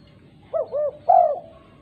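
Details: Female spotted dove calling to other doves: two quick curving coos then a sustained louder coo that fades away, a single clear phrase against light background noise.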